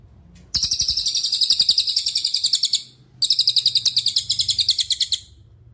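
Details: Cililin song recorded as a master track to train other songbirds: two long runs of high, bright chirps in fast even rhythm, separated by a short gap, with faint low background hum.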